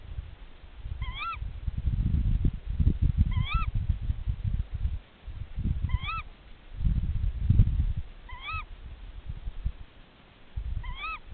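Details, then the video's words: Tawny owl pair calling to each other during a nest check, short rising, slightly hooked calls about every two and a half seconds over heavy low rumbling and handling noise. "Głos puszczyka."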